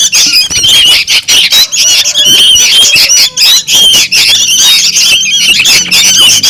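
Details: Young sooty-headed bulbuls used as a bird lure: loud, raspy chattering in short repeated bursts, many voices overlapping, separated by quick gaps, with faint low tones in the background.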